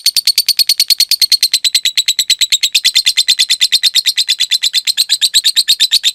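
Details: Lovebird trilling the long 'ngekek' way used as a training model for cage birds: a continuous, regular stream of piercing chirps at about three per second, wavering slightly in pitch.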